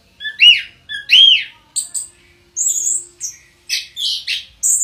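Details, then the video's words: Orange-headed thrush, kept as a house bird, singing varied phrases: rising whistled slurs that drop again, then sharp high notes and buzzy bursts in quick succession, with a faint steady hum behind. "Burung Penunggu Rumah Anti Stress!! Anis Kembang"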